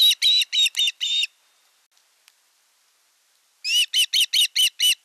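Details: Osprey chicks at a nest in the Satakunta region of western Finland on 5 August 2024, as the elder chick attacks the younger during a fish delivery: a run of sharp, whistled chirps, then silence, then another evenly spaced series of calls.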